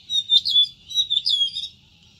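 An Oriental magpie-robin gives a rich run of clear whistles and quick chirpy notes, mostly high-pitched, in two bursts over about two seconds.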